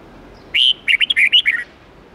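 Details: Red-whiskered bulbul song phrase in the twisting 8-9-10 note forest standard used to train young birds: a sustained clear whistle, then a fast run of looping, warbled notes lasting about one second.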